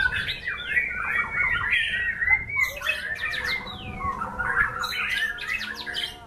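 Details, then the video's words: White-rumped shama song in a songbird performance: dense, rapid chatter of squeaky whistles and buzzy trills, bursting into bright high sweeps after three seconds and again near five seconds, over low background hum. "Aksi MURAI BATU SNIPER memukau ngeplay dengan irama lagu mewah"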